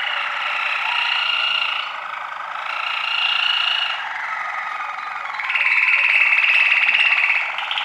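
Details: Waterslager canary singing a continuous rolling, bubbling song in three long sustained phrases, each a pulsing tonal trill with a brighter whistled band on top and fast regular beats, growing louder in the last phrase.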